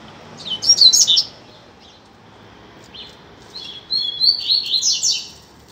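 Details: Free-flying double-collared seedeater singing on a street, a teacher song for learning: two bursts of fast, high twittering and whistled notes, the first near one second, the second running from about three and a half seconds to the end.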